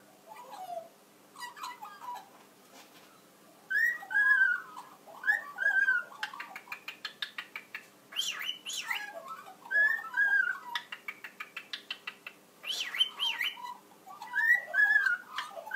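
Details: A wild-raised Australian magpie carols in rich, fluting warbles in a duet with a cockatiel, which adds bright whistles.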